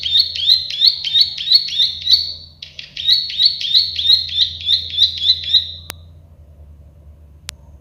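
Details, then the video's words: Plain prinia giving two long phrases of rapid rhythmic buzzy chirps, roughly three per second, then falling quiet; two sharp clicks are heard afterwards. "Masteran burung prenjak sawah klik-klik"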